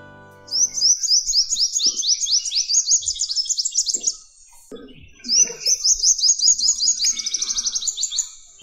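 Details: A male Purple Sunbird in the Kumaon hills, singing in morning sun to attract females and keep rival males away, gives two high, rapid twittering phrases that speed into trills, with a brief pause between; faint music at start.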